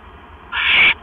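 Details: Owl at the nest at night, 9:40 PM on 12 October 2015, arriving with a mouse. One loud, breathy screech lasting under half a second, with a steady background hum.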